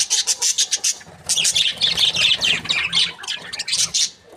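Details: Happy breeding pair of budgerigars chirping in a dense, continuous warble of scratchy notes and squawks, with a faint low hum in the background.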